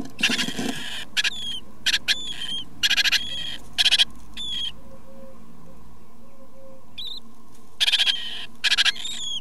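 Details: Great tit nestlings being fed by their parents give bursts of hissing, squeaky begging calls in clusters every second or so, over a steady low hum.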